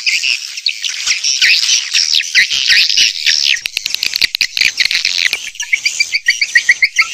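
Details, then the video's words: Lure chorus to attract swiftlets: busy overlapping high twitters give way to a neat run of short, evenly spaced chirps at the end. "Âm thanh dụ Yến"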